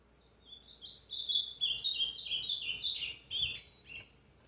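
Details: Singing ultramarine grosbeak (azulão) in brown plumage, recorded 29 August 2023, pouring out one long rapid warble of clear slurred whistles that climb and descend, closing with a couple of softer separate notes.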